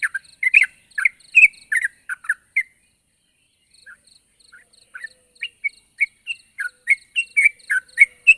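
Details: Sooty-headed bulbul in lively voice, calling a rival: a burst of short bubbly, slurred notes, a quieter gap of scattered soft notes, then a fresh run of brisk chirps about once per second, over faint high ticking.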